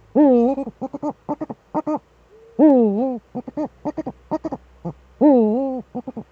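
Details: Both Eurasian eagle-owls in the nest hollow on a webcam, 6 March 2013: three long, loud, sagging wails, each followed by rapid runs of short staccato notes, repeating in a steady back-and-forth pattern.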